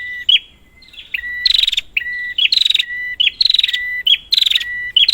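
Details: Prinia lure calls for a bird that has gone silent: a low flat whistle, then repeated pairs of harsh buzzy rattles and level whistles at a steady pace.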